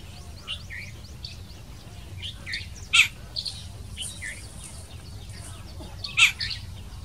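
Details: Jungle babbler in Khambat, India, giving squeaky, high chirps and two loud, harsh rasping bursts a few seconds apart, over a low background rumble.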